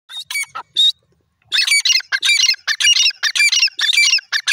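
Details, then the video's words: Grey francolin, locally called teetar, giving loud harsh squawking notes in rapid uneven bursts, about two per second after a brief pause, with a sharp clipped quality. "grey francolin ki voice R fun,teetar ki awaaz"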